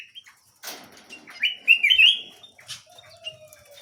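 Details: Small canary singing: a rapid run of high chirps and a bright warbled trill held near the top of the range, with brief wing flutters and soft background chatter.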